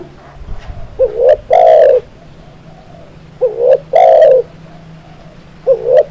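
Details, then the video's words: Spotted dove song recorded as a training track for making kept birds sing. Low cooing phrases repeat about every two and a half seconds: a short, wavering double note, then a longer, rich, throaty coo. The background is quiet with a faint hum. "SUARA BURUNG TEKUKUR"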